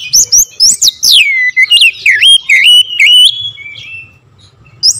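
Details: Oriental magpie-robin lure song with sharp bursts: a fast string of loud rising and falling whistles and clicks, then a long level whistle that fades, with a low hum after it.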